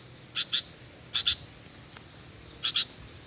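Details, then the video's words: Sooty-headed bulbul song used as a lure: three quick paired high notes spaced about a second apart over a soft low background hiss. "Suara burung kutilang pikat gacor"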